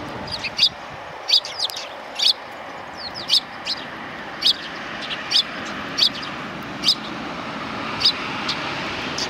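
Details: Sparrows welcoming a walker on 7 April 2020, among them one with an injured foot; single clipped chirps sound roughly once a second over a steady low rumble of traffic.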